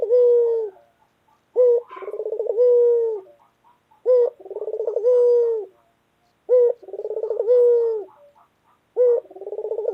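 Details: Local white collared dove, kept as a pet and described as loud and very vocal, repeats its coo roughly every two and a half seconds: a short low note, a fast rolling pulsed trill, then a long steady hum.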